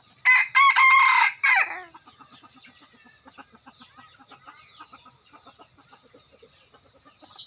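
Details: A rooster used as a decoy for trapping wild chickens opens with a strident crow in three bursts, ending in a falling note. Quiet, rapid clucking and faint bird chirps continue afterwards.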